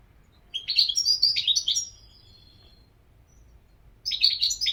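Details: European goldfinch singing a rapid, liquid twittering phrase of high tinkling notes and buzzy trills for about two seconds, a pause, then another twittering burst starting near the end; quiet low background hum.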